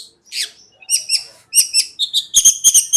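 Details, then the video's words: Long-tailed shrike, cendet konslet master song for training: a hoarse squeak, then paired high whistled notes, ending in quick piercing chips. "RAJANYA CENDET,GURU VOKAL ANDALAN,CENDET KONSLET TIADA TANDING"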